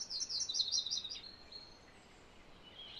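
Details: MacGillivray's warbler heard fairly softly, a single brief run of high, rapid chips in the first second, then only low background hiss.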